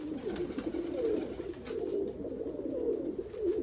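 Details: Persian fancy pigeons giving continuous deep, bubbling coos, each phrase rising slightly then dropping, several overlapping with little pause, faint clicks in the background.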